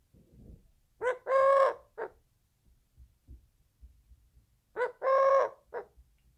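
A Eurasian collared dove gives two low three-note coos, a short note, a long drawn middle note and a clipped ending, about four seconds apart.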